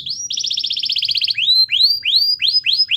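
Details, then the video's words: Canary in full gacor song, played to coax a reluctant canary into singing: a short buzzy note, then a fast rolling trill, then a series of rising whistled swoops repeated about three times a second. "Suara Kenari Gacor Yang Malas Awas Nyaut || Pancingan Kenari Malas Bunyi"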